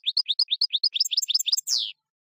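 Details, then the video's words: Goldfinch batbata song: around twelve crisp rising notes in quick succession, ending in a single longer, harsh, descending buzzy note. "بتبتة الحسون"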